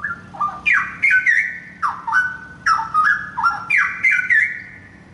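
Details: Melodious straw-headed bulbul song from a young wild bird: clear, loud liquid phrases, each a quick downward-then-upward slurred whistle, repeated about every second with bubbly overtones.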